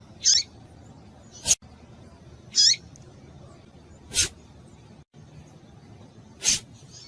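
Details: Female Double-collared seedeater calling to excite males: short high chips sliding downward, given roughly every two seconds and alternating with sharp broadband clicks over a faint low hum.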